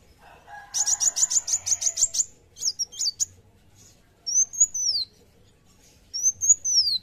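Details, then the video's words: Dark kolibri wulung sunbird delivering a quick high buzzy trill, a couple of sharp twisting chips, then two long, high, slurred whistles that rise and fall in an arch. "Kolibri Wulung Gacor Narung"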